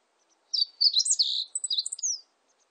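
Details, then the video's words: A Meadow bunting delivers one quick song of high, crisp chips and short trills that tumble for under two seconds. A thin descending whistle closes the phrase, with silence before and after. "멧새, 여러번 듣기, 곤충소리, 새소리"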